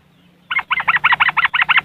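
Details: Yellow-vented bulbul (trucuk) in West Java, Indonesia, recorded on an Android phone: riwikan-style song used as a lure to get caged trucuk singing. After half a second of quiet, a fast run of about a dozen sharp, chattering notes follows.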